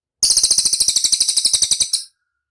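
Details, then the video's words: Cililin song meant to prompt a response from caged birds: one clean, very high, rapid trill of about twenty crisp repeated notes, lasting just under two seconds, with no other sound. "SUARA CILILIN DIJAMIN CEPAT RESPON"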